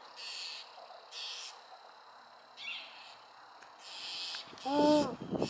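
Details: Wild owl with a series of harsh hissing bursts at uneven intervals, followed near the end by a brief lower tonal sound and some rustling.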